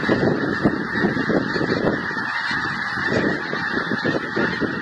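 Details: A flock of geese on migration gives a continuous stream of overlapping honks, many voices calling at once with no pause.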